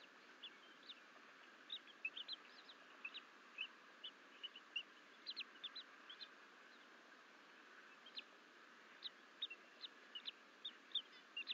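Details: Two Bald Eagle eaglets, twins left alone in the Fort St Vrain nest on 14 April 2024 while they crawl out of the nest bowl: short high chirps in uneven bursts, some doubled, over a steady hiss.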